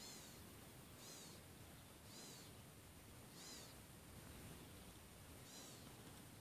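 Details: A very excited Black-capped gnatcatcher (Polioptila nigriceps) at California Gulch in August 2014 gives thin, nasal, mewing calls, five in six seconds at irregular spacing, over a steady background hiss.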